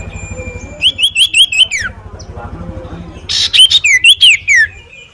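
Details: Stage-champion common iora gives a string of six even whistled notes ending in a falling slur, then after a pause another run of five swooping whistles, with a steady low hum behind.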